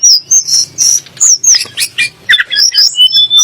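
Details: Sunda blue robin song, played to provoke magpie-robins and white-rumped shamas into singing: rapid run of sharp high whistles and chirps, some rising or falling, given in short bursts about every quarter second with brief gaps.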